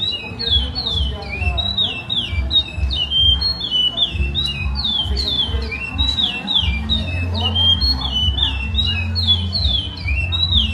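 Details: Lined seedeater delivering a traditional Maceió-style song, a long unbroken run of sharp descending whistled phrases, tightly repeated, with constant low-pitched hum and faint thumps underneath.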